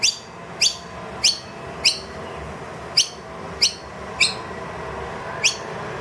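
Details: Wild noisy miner that brought two babies indoors calls loudly for food after the feeder emptied, unusually vocal: eight sharp, high chirps, each a quick downward flick, every half-second to second, over a low hum.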